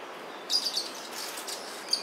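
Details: Brown Violetear at El Descanso, Valle del Cauca, Colombia, on a breakfast stop on 10 July 2019, gives three quick, thin high chips and then a single chip a second later over a steady hiss.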